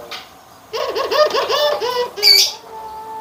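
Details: Barbary dove, white and brown birds compared: a rapid rolling run of about eight short arched low notes. A single shrill high chirp from another bird follows.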